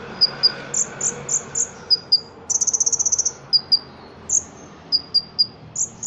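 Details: Indonesian Ruby-cheeked sunbird, a caged competition songbird, delivering a song studded with cricket-style phrases. High, piercing chips are given singly and in pairs, then a fast rattling trill of about ten notes, then more scattered sharp notes, over low hiss.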